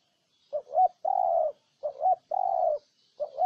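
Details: Spotted dove of Ninh Thuận giving its cooing phrase: a short doubled hoot and a drawn-out mellow coo, repeated about three times in quick succession against a quiet background.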